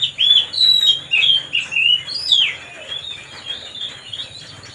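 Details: Kacer, the white-rumped shama, singing to rile another bird into emotion: loud whistled, warbling phrases in quick bursts during the first half, trailing off into softer, lower-volume twittering toward the end.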